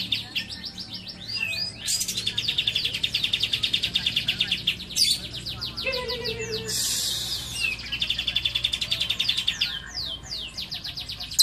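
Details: Lovebird delivering a learned cililin song: long stretches of fast, high, rattling trills mixed with sweeping whistles and brief noisy bursts, fairly continuous throughout.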